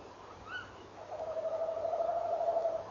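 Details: Male tawny owl rolling at dawn, 06:45 on 18 November 2013, with the female answering. A brief, sharp, upward call comes first, then a low, tremulous trill builds and holds for about two seconds.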